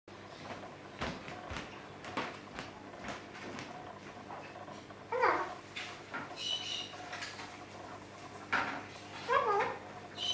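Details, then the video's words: Female red eclectus parrot kept indoors, imitating a ringing phone and talking while a green male eclectus looks on; scattered harsh squawks and tonal warbled notes with clicks and room noise between. "female eclectus talking and phone ringing"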